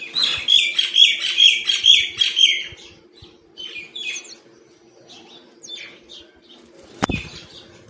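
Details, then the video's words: Feeding wild myna with a loud burst of harsh, repeated scratchy notes for about three seconds, then fainter scattered chirps and a single sharp click near the end. "Wild feeding by Myna bird and making different sounds!"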